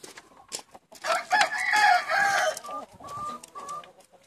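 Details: Chickens from a flock of 70 let out for the day in Longford, Ireland, on Thursday 25 February 2016: a loud, rough crow swells for about a second and a half, followed by short tonal clucking notes.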